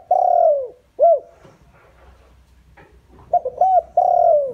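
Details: Lure call of a captive decoy spotted dove used to attract wild doves. It opens with a long falling coo and an arched note. After a quiet gap, the phrase starts again with short notes and ends in another long, sliding, mellow coo.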